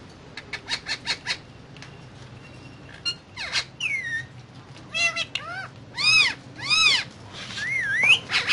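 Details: Indian ringneck parrot talking while eating guava: bursts of rapid clicky pulses, then harsh squawks and ringing arched harmonic phrases, with a rising, wavering whistle near the end, over a low room hum.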